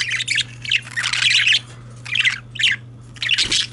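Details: Male parakeets keep up a scratchy, chirping warble in irregular bursts roughly every half second to second, mixing squawks, rasps and short whistled squeaks above a low steady hum.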